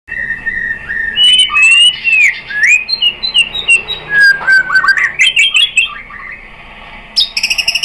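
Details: White-rumped shama lure song meant to provoke another shama into singing: loud varied whistles sliding up and down, interspersed with sharp clicks and harsh bursts, phrases rapid and irregular.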